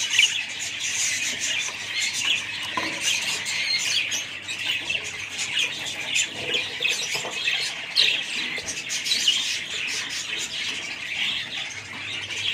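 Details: Family group of budgerigars producing long, unbroken chatter of high chirps, squeaks and raspy notes from many birds, intensity rising and falling in small waves.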